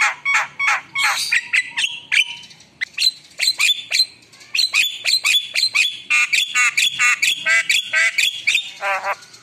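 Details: Richly varied Javan myna song: steady chattering squawks, whistled phrases and gurgles running almost without pause for nine seconds, ending in a rolling warble.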